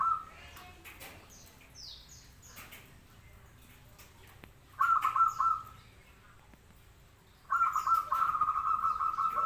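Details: Local zebra dove singing actively: two bursts of rapid, trilled, purring cooing notes, one short and one longer near the end, with faint higher chirps from other birds in the first seconds.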